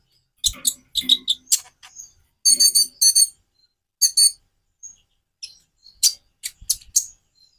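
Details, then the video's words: Sunbird called konin giving dry, rattling high chatters and clustered ticking notes in short bursts, with a few thin whistles between. "Variasi kicau burung Konin"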